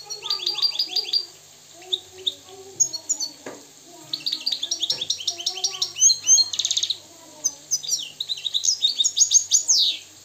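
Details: Song of a wild Moroccan goldfinch: quick repeated high chirps in tight series, interspersed with a brief buzzy roll and liquid twittering phrases, continuing steadily with few gaps.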